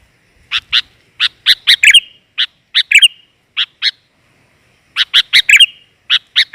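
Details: Lure call of a female sooty-headed bulbul meant to attract males. Clear, separate chirps, sometimes in quick pairs or triplets, with a brief pause midway before another run of bright notes.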